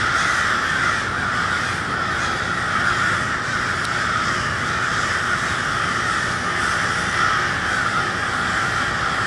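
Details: Cold twilight in Westport, Kansas City, with noisy crows: a sustained chorus of countless overlapping caws forms a constant roar, with brief sharp accents rising now and then above the mass.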